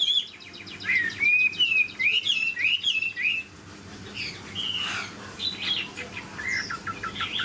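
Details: Caged Chinese hwamei of large body gives a quick string of looping whistles, then, after a pause, scattered sharper notes and short buzzy calls.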